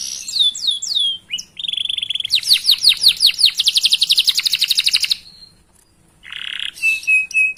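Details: Long-singing canary song used to prompt other canaries to sing: falling whistled sweeps, a steady note, then a fast rapid-fire trill of repeated downward slurs for about three seconds, a pause, and buzzy and whistled phrases.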